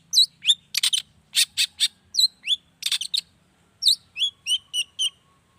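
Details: Long-tailed shrike song, used to provoke other shrikes to answer; varied phrase of sharp downslurred whistles, scratchy rattles and quick twittering notes in rapid succession.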